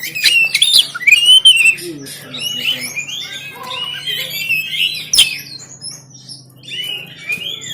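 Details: Caged oriental magpie-robin from Banten, Android phone recording, giving loud rising whistles and rough notes at the start, then a softer rambling warble over a low steady hum.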